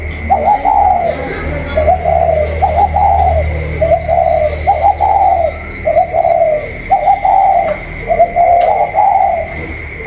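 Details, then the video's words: Caged spotted dove calling against a wild rival on 27 October 2022: about nine soft, low, slightly wavering coo phrases in steady succession, with a constant background hum and faint low rumble. "chim cu còi trong đấu với thổ ngoài"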